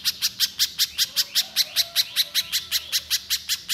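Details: Little spiderhunter singing loudly and continuously in 'mbeset nembak' style, to make raw birds start calling: about nineteen regular, piercing high chips, around five per second, with a faint thin tone in between.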